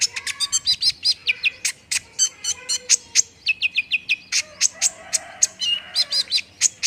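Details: Song of an olive-backed sunbird, used to lure a bird into answering fast: busy high chirps and quick whistled runs of short descending notes, rattling ticks between, sustained without pause for about seven seconds.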